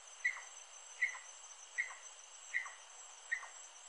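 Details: Rufous-necked wood rail song: five clipped, sharp notes, each ending in a brief falling slur, spaced evenly under a second apart over a soft background hiss.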